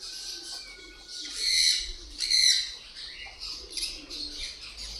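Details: Shrill lovebird chatter: sharp, high chirps and screechy bursts that rise to two louder peaks, then continue as quicker, softer twittering.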